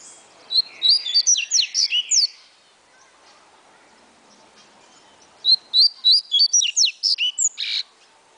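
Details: Caged double-collared seedeater, a fast 'atilharia'-style singer said to deliver 16 to 28 songs a minute, gives two rapid bursts of about eight sharp, high, staccato notes each, roughly five seconds apart, with quiet background between.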